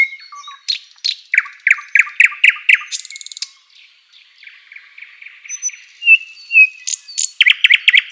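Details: Spring sunrise song of a thrush nightingale in forest: a row of loud repeated chopping notes, a fast dry rattle, soft warbling, then an emphatic burst of rapid, harsh repeated syllables.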